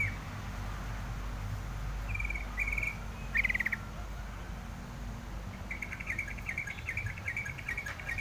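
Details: Wild yellow-vented bulbul giving short chirping phrases, one sharp rattle mid-clip, then a longer string of rapid repeated chirps near the end. Steady low background noise underneath.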